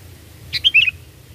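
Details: Sooty-headed bulbul, a recording used to lure birds for trapping, giving one brief bubbly phrase of three or four quick warbled notes over a quiet low hum.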